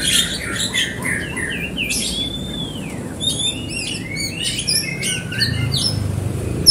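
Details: White-rumped shama song played to spur another bird into singing: clear slurred whistles, a long downward-curving note, then quick paired chirps and scratchy high phrases, fairly soft.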